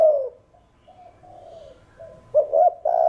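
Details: Spotted dove cooing in the thổ đồng style to excite other doves into song: the falling tail of one phrase, a soft low murmur, then a fresh run of short coos leading into a long sustained coo.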